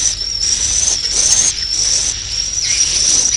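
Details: Swiftlet call for attracting birds to roost: a thin, very high, slightly wavering whistle-like twitter, sustained in long phrases broken by brief pauses about every half second to second.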